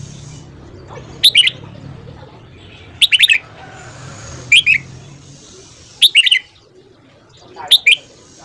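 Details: A red-whiskered bulbul delivers its morning song for voice training: clear, sharp phrases of three or four rapid whistled notes, spaced about one and a half seconds apart, with a faint low rumble behind.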